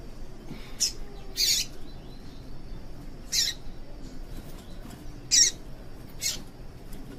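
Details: Female yellow-bellied seedeater (papa-capim) calls, used to stir caged males into singing for song contests; brief sharp high chirps spaced irregularly about every one to two seconds over a steady faint background hiss.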